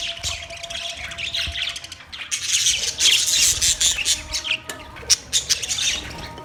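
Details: Budgies chattering: a dense stream of scratchy, high chirps and short squawks, growing louder and busier midway, with a faint hum behind.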